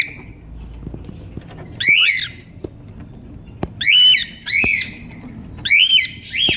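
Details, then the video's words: Cockatiel chirping: after a quiet start, a run of short, harsh, arched chirps, several in quick pairs, spaced about a second apart, with faint low room noise underneath. "Cocktail singing and chiriping"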